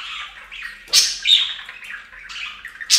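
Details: Budgerigars calling while taking a bath at a bird fountain: bright, scratchy chirps and squawks centred high in pitch, with sharp broadband bursts near the start and end, possibly splashing.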